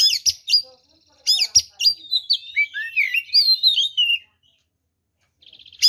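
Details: Oriental magpie-robin singing to stir other birds into aggression: sharp clicks and whistles, then a long tumbling run of fluty, slurred notes, ending in quiet before a brief rattling buzz.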